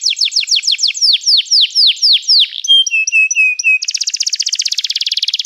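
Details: Canary song: quick falling notes that slow into wider swoops, a run of short level whistles, then an abrupt change to a rapid buzzing trill held to the end.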